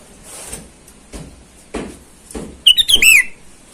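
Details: Sooty-headed bulbul singing actively to call rivals in the wild, a call used to attract wild birds. Several dull knocks come first, then a single quick run of clear whistled notes with a downward slur.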